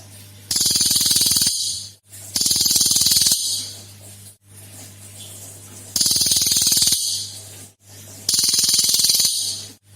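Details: Cililin lure recording: four bursts of rapid rattling, buzzy song, each about a second long and spaced roughly every two seconds, over a continuous low hum.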